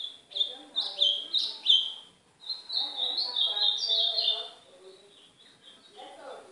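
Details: Azulão do Nordeste (ultramarine grosbeak) song used to warm up and train a pet golinha; four sharp, clipped whistled notes are followed by a longer rolling warble of high, quick notes, then softer trailing sounds.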